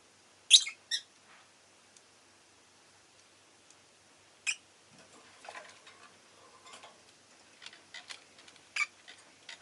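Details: Rosy-faced lovebird at home, a few sharp chirps early and mid-way, then softer scratchy chatter and clicks, a final clear chirp near the end.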